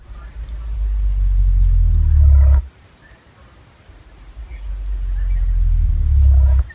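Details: Southern cassowary giving low booming calls whose vibrations show on its feathers, one of a whole range of such sounds; two long, deep rumbling booms, each swelling for about two and a half seconds then stopping abruptly, over steady high hiss.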